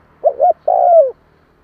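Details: Spotted dove coo meant to stir newly caught doves into calling: two short hooting notes followed by one long, mellow drawn-out coo that slides slightly downward at the end, in a quiet setting.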